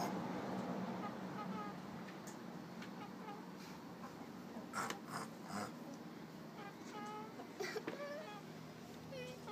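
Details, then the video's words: Small Ameraucana hen purring like a kitten: a soft, low, buzzy rolling trill runs throughout, broken by brief higher chirping notes near the middle and again toward the end, in a quiet indoor setting. "Chicken purring"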